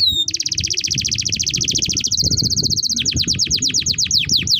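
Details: Canary's long song as a training model for young canaries: an opening upslur, then a long fast buzzy trill changing into evenly spaced, steeply falling notes.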